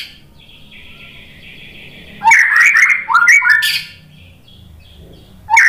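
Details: Shama song played to goad other birds into answering: after a faint steady high tone, a loud run of quick, varied whistles and chattering notes, then a short new phrase begins at the end.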